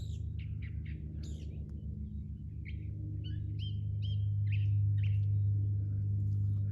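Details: California Thrasher, unseen, singing in Monrovia's Hillside Wilderness Preserve on a hike: a varied, mockingbird-like string of short chirps, whistles and slurred notes, several per second, over heavy low wind and handling noise.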